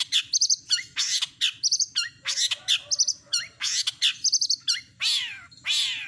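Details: Cendet, or long-tailed shrike, singing a clear imitative medley: repeated phrases of bright chirps and trilled high notes, ending in two long descending harsh squeals, with a faint hum underneath.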